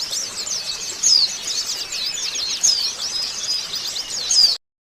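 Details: White-eye singing to stimulate a moulted bird: fast, high, squeaky twitters flow nonstop, with brighter slurred whistles recurring, then the sound cuts off abruptly into silence.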